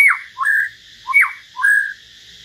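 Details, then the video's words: Hill myna singing solo together with a white-rumped shama, three loud whistled phrases, each a sharp falling slur and a short rising note that levels off, with clean pauses between. "Chim nhồng và choè lửa hót solo"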